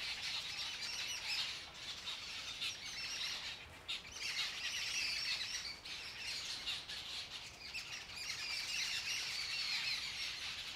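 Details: Several Jungle Babblers mock-fighting on a branch in an orchard with spring approaching and breeding beginning; bursts of grating, overlapping squawky chatter that swell and ease in waves, with brief quieter gaps between.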